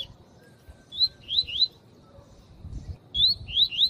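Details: Tui tui song of a male double-collared seedeater with a calling female, used to stimulate males: two groups, each a clear whistled note followed by two quick rising slurred notes.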